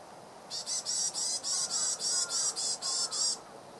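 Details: Varied tit calling in the East Gardens of the Imperial Palace, Tokyo, January 2014: a steady run of about eleven high, buzzy, hissing notes, roughly four per second, lasting nearly three seconds before falling quiet.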